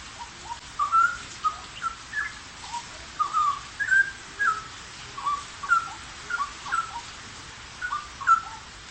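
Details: Straw-headed bulbul singing actively in its cage: short, rich whistled notes in a middle pitch, given in quick pairs and brief phrases about every half second, over a steady faint hiss.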